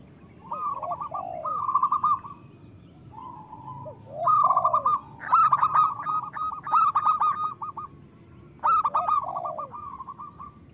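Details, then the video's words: Group of local zebra doves in vigorous song, used as therapy to make birds sing sooner. Layered, stuttering coo series and swooping lower notes overlap in repeated bursts. "Perkutut lokal gacor Suara Besar Pancingan"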